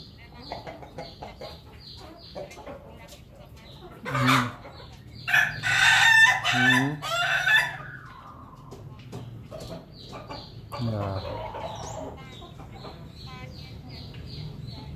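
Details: A Pelung rooster, 18 May 2024, gives a loud, drawn-out crow over a steady backdrop of soft clucking.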